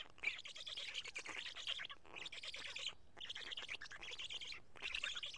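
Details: Black stork nest in Karula, 31 May 2017, midday feeding with two big fish torn apart by the chicks: four rasping, breathy squealing bouts, each roughly a second long with brief silences between.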